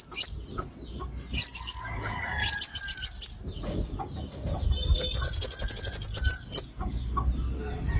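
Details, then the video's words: Crimson sunbird lure for bird trapping: groups of sharp, high chips, then a rapid dense trill of many notes near the end, with soft low background sounds. "Tiếng Hút Mật Xác Pháo Mồi Chuẩn Nhất 2025 - Bẫy Là Dính - The Sound Of Birds Sucking Nectar"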